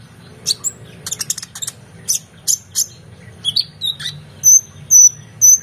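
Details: Oriental magpie-robin singing excitedly as a model for training competition songbirds: rapid clusters of scratchy high chips, then several clear, loud, high whistles repeated about once a second, over a faint low hum.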